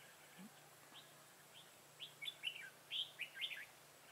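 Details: Red-whiskered bulbul, a decoy bird fight-singing to lure wild bulbuls into a trap in Vietnam on 25 September 2018; soft notes at first, then a burst of bright whistled chirps near the end.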